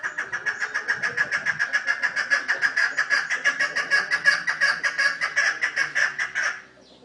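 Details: Pet chukar partridges in captivity give a loud, fast series of harsh, chattering 'chuk' notes. Roughly five or six notes per second run steadily for about six seconds, then stop abruptly into quiet.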